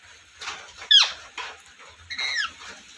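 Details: Parrot making squeaky, sharply falling chirps and a buzzy downward-sweeping call, interspersed with softer rasping bursts in a quiet indoor setting.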